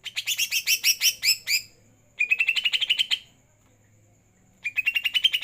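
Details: Greater green leafbird singing after a night bath: bursts of rapid, bright chirping notes rising slightly in pitch, given in trilled phrases of about one to two seconds separated by short pauses, with a faint low hum beneath.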